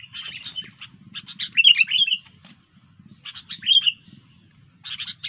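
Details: An actively singing sooty-headed bulbul gives groups of rapid chirps mixed with clear, sliding whistled notes, about three bursts separated by short silences.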